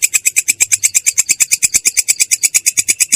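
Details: Rolling song of a long-tailed shrike, its voice clear yet harsh: a tight run of sharp, high, rasping pulses repeated about seven times per second.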